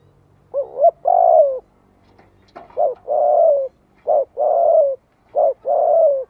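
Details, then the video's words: Rhythmic cooing from a spotted dove, used to stir other doves into calling back. A short rising note is followed by a long, steady, slightly descending coo, repeated three times after an opening pair, with a faint click midway. "Tiếng chim cu gáy kích bổi cực sung - Chim nghe là gáy lại."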